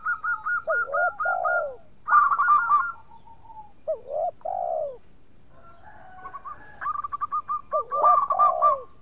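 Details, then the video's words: Zebra dove of local stock, an active singer used as a lure for rival birds: rapid staccato notes followed by lower, curving rolled coos, the phrase repeated three times with quiet gaps. "Perkutut Lokal Gacor Suara Merduk Cocok Buat Pancingan - Bikin lawan langsung Nyaut!!!"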